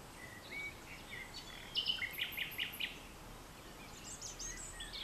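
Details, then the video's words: Common nightingale singing at dusk, France, 22 April 2020, in vegetation beside farmland; faint scattered whistles and a short series of four clipped repeated notes amid background hiss. "Nightingale France"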